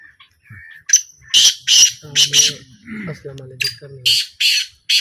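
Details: Black francolin during a small calling trial: loud, harsh, grating bursts, several in quick succession, with men's voices talking low in the background between calls.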